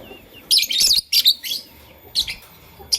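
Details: Fischer's and masked lovebirds in the morning give loud, shrill, scratchy chirps in short rapid bursts, several close together, then a pause before more.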